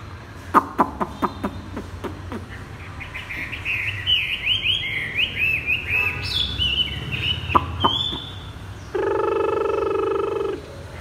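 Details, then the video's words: Chinese hwamei singing while perched on the ground: a run of sharp clicking notes, then a long stream of rapid high slurred warbles, ending in a loud harsh buzzy note. "Chim hoạ mi đặt đất hót thắt cổ chai thắt cổ chai"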